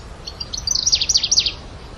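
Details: Grasshopper warbler (genus Locustella) giving a brief, high-pitched song phrase of quick downward-sweeping notes repeated several times in about a second, over faint background noise.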